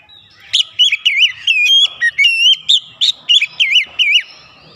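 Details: Oriental magpie-robin singing aggressively after being provoked, a rapid run of loud, wavering whistled notes repeated in quick succession with little pause.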